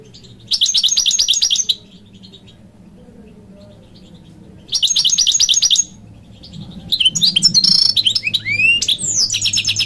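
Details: European goldfinch of the type called khalawi, singing well. Bursts of fast, high, tinkling twittered notes alternate with pauses, then a livelier run of varied chirps and slurred whistles, over a faint low hum.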